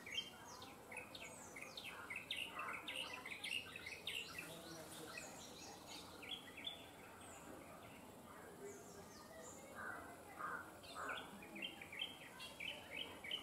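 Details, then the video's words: Bronzed drongo sings while perched on a wire: a busy stream of high, sharp, downward-sweeping notes and chirps in irregular bursts, with some lower mid-pitched notes and steady light background noise. "Bronnzed drongo sings beautiful"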